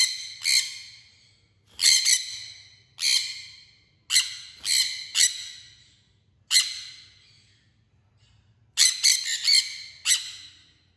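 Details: Sun conure giving loud, harsh, shrill screeches in short bursts, some doubled, separated by pauses of one to two seconds, each screech trailing off with an echoing tail; otherwise quiet with a faint low hum.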